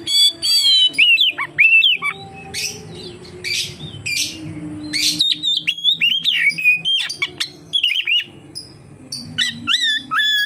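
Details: Oriental magpie-robin song for luring other magpie-robins to sing: rich, varied phrases of clear whistles, buzzy rasps and quick chirps repeated with short pauses, over a faint low drone.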